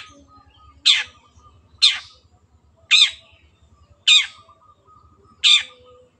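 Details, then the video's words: Caged long-tailed shrike delivering loud, scratchy descending notes spaced about a second apart, five in a row, over a faint low background rumble. "MASTERAN BURUNG CENDET GACOR"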